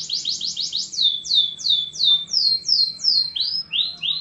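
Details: Domestic canary singing: a run of quick downward-sweeping whistles falling from high to mid pitch, about three each second, ending with two short rising notes.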